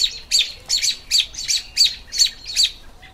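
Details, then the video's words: American robin in spring giving bright, high chirping phrases, about seven in three seconds at a quick, slightly uneven pace, with a quiet background. "Robins Sounds"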